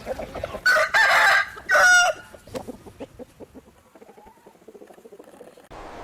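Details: Rooster crowing in Taiwan: a loud hoarse cock-a-doodle-doo in two bursts within the first two seconds, followed by softer clucking and faint scattered farmyard sounds.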